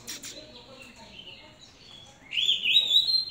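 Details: Oriental magpie-robin raised by hand on bird feed, opening with faint clicks before a loud, rising, slurred whistle that warbles on for about a second.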